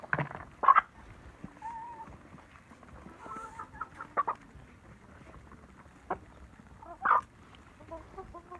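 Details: Village hens in a backyard hen house: scattered short clucks and a few louder squawks, several brief pulses and soft murmured notes spread irregularly over a quiet farmyard background.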